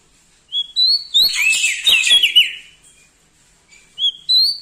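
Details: A bar-winged prinia in full loud voice, said to sing boldly beside large birds. Rising whistles give way to a dense, scratchy jumble of notes. After a pause, fresh high whistles begin.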